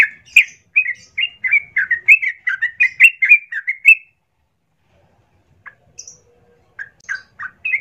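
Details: A yellow-vented bulbul's lure song, meant to provoke another bird to answer and fight, pours out as a four-second stream of bright chirped notes, followed by quiet and a few scattered single chirps.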